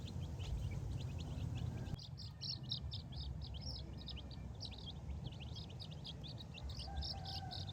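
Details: Young chicks foraging in grass without their mother hen, scratching the ground for food and insects; after a brief break, loud, clear high peeps pour out in rapid irregular bursts from several chicks, with a steady low rumble beneath.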